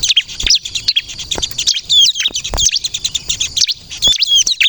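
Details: Lively song of a crystal bar-winged prinia, meant to lure and provoke other birds: high scratchy chirps and short whistled slurs in quick bursts, with occasional sharp clicks.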